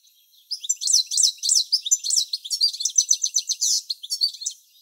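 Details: Male European goldfinch singing a few tens of metres from the nest while the female incubates, late July: rapid high twittering song of tinkling, buzzy notes in a continuous jumbled stream.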